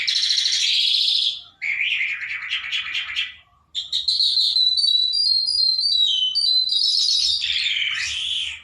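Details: Trained, hand-tame lark singing in the open: a loud, continuous, varied outpouring of high chirps, trills and buzzy warbled phrases with barely a pause, only one short break near the middle.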